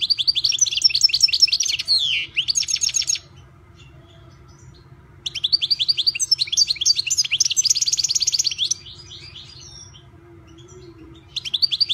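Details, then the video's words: Owned European goldfinch giving two long bursts of bright, liquid twittering: rapid high chirps run together with short nasal buzzes and trills, separated by a pause of about two seconds; steady low background hum. "ΚΑΡΔΕΡΙΝΑ ΜΕ ΟΛΗ ΤΗΝ ΣΗΜΑΣΙΑ ΤΗΣ ΛΕΞΗΣ!!! (Carduelis Carduelis)"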